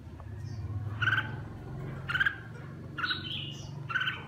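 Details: Red-whiskered bulbul of the má lỡ, mào lân type singing while bathing: short bright warbled phrases around four times, roughly one per second, over a steady low rumble.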